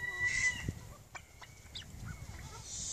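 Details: A male yellow golden pheasant displaying for females gives a few short, harsh, clicking notes in quick pairs during courtship display, over faint background hiss and distant chatter.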